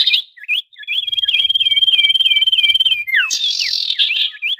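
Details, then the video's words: Noisy common iora calling, played as a trapping lure for wild birds: a sustained high whistle with a rhythmic series of short hooked notes, ending in a falling whistle and harsher buzzy chatter. "SUARA SIRTU/CIPOH RIBUT"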